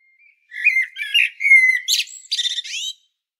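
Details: A common blackbird on Medvednica Mountain (Sljeme), Zagreb, Croatia, sings one phrase: mellow, fluted warbling notes that end in a high, squeaky, scratchy twitter. There is no other sound.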